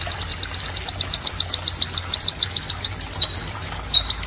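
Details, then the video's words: White-eye singing a rapid, high-pitched trill of evenly repeated chip notes, about eight a second, then breaking into brighter, varied whistled phrases. "Recomendasi Masteran pleci Untuk Kls G12&G16"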